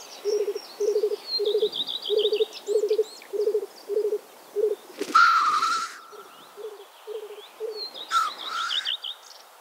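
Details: Black grouse at a spring lek in Karkonosze National Park, Poland, bubble in low, dove-like rookooing pulses about twice a second, broken by a loud hissing sneeze; thin whistles of other birds ring above.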